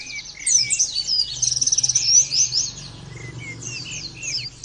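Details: Oriental white-eye singing in a training recording for other birds: an energetic burst of high, thin chatter with a rapid buzzy trill near the middle, then sparse lower-pitched chirps and quieter twitters, with a faint hum below.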